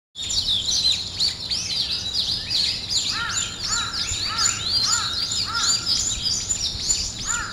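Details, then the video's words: Morning birdsong chorus: dense high chirps and twittering phrases, with a lower repeated whistled note joining in the second half, over a steady faint background hiss. "아침을 깨우는 새소리 2 ,Birds wake up in the morning 2"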